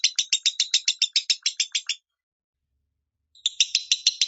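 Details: Lovebird singing its minor style, a tutor recording for training caged birds: quick, harsh chirps in a burst of about two seconds, then a silent pause, then the rapid chirping resumes.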